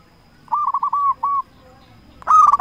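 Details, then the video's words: Local zebra dove used to lure and provoke rivals: a string of five clear, rounded coos with short gaps, a pause, then a louder harsher burst of rapid bubbling notes, against faint low background noise. "Perkutut Lokal Gacor Raja Pikat Paling Ampuh Ahlinya Bikin Lawan Gacor Nyaut"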